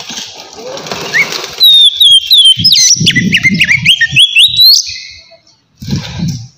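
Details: White-rumped shama in relaxed ngeplong song for luring wild shamas: after a murky noisy start, a burst of quick whistled notes swooping down and up, with low thumps beneath, then quiet.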